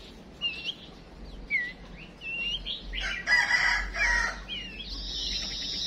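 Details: Female songbird used as a decoy, calling to spur males into song: short whistled chirps and upward slurs near mid-high pitch, followed by a louder, harsh, noisy burst of rapid notes and a sustained high trill.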